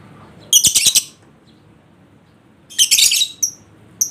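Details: Lovebird ngekek song to coax a lazy bird: two long, loud, grating chatter bursts about two seconds apart, followed by brief high chirps.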